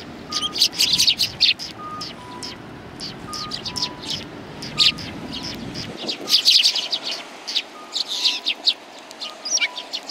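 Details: Chattering sparrows on a bench at a Tenmangu shrine, January 21 2020, keep up a continuous stream of high tweets, while a faint two-note tone repeats steadily in the background.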